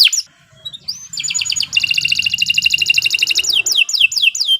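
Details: Canary lure song for training future champions: a few brief notes, then a long fast pulsing trill of even beats, ending in repeated downward-sweeping whistles.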